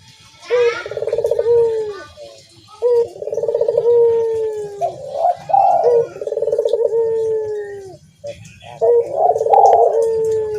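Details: Barbary dove cooing, a deep rolling, purring coo delivered in phrases of about two seconds, each starting with a short note and sliding into a long vibrating tone, repeated five times with brief pauses.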